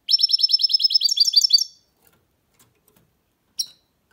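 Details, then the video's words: A hybrid goldfinch mule pours out a fast, loud string of evenly spaced high chirps for under two seconds, then pauses and adds one short sharp call. "Goldfinch mule’s (hybrid) singing"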